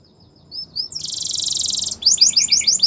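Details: In the morning a yellow canary sings soft whistled notes, then a long shimmering buzzy trill that breaks into a quick series of sharp chirps.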